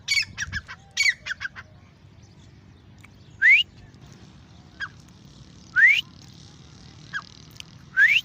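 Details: Grey francolin, known locally as Irani or Dakhni teeter, giving loud rising whistled notes with short sharp clicks between, each upslurred whistle repeated every two to three seconds over a low rumbling background.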